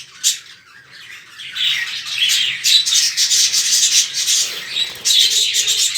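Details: A colony of many budgerigars chatters together in a dense, scratchy wash of high chirps and warbles.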